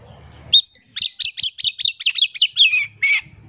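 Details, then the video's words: Energetic Oriental magpie-robin song, used as a lure to prompt silent birds to sing. A rising whistled note leads into about eleven rapid, sharp, high chips that step slightly lower, ending with a buzzy note. "PANCINGAN KACER GACOR. KACER DIAM MALAS BUNYI COBA PANCNG DENGAN KACER INI"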